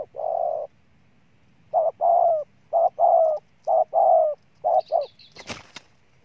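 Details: Spotted dove decoy bird cooing: one long low coo, a pause, then a steady series of paired coos, each a short note followed by a longer one with a slight wavering rise and fall. A sharp click sounds near the end.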